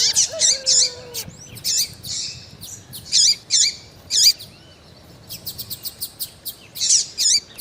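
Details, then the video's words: An excited female double-collared seedeater calls to stimulate a male: loud, buzzy, wavering chirps in quick succession, a brief lull, then rapid thin ticks and further rasping chirps. "FÊMEA DE COLEIRO QUENTE CHAMANDO MUITO FOGOSA E PIANDO - ESQUENTE SEU COLEIRO FRIO"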